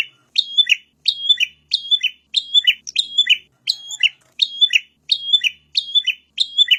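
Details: Prenjak (Bar-winged Prinia) master song for luring and training birds: about ten high, chattering, buzzy phrases delivered in a steady run, each a sharp whistle followed by a lower dry trill.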